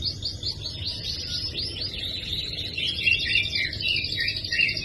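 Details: Canary song used as a lure to prompt a silent canary to sing: continuous high twittering and rapid trills with rolling, warbling phrases, steady low hum underneath.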